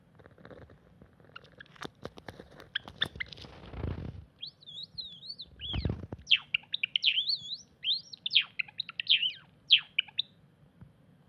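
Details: Cinnamon Java sparrow singing in a weedy garden plot, 8 April 2021: a run of high, bell-like chirps and warbled notes, opening with some clicks and two low thumps.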